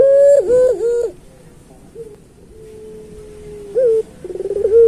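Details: Master song of a puter pelung turtle dove for tutoring other doves: wavering coo notes, a quiet stretch with a faint level hum, then a short coo and a rolling burst leading into a held note.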